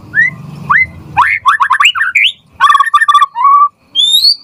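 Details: Murai batu, the white-rumped shama, singing as a tutor. Rising whistled notes, then a rapid series of sharp slurred notes, a buzzy rattle, and final clear whistles climbing higher.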